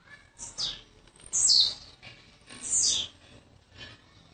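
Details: Young blue-black grassquit from Jacarepaguá, Rio de Janeiro, newly arrived, giving loud high buzzy downslurred notes about once a second, then a fainter trailing note.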